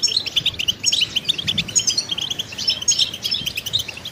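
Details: A kept goldfinch delivers a quick liquid chatter of high, clipped notes and short trills, rattling on without pause.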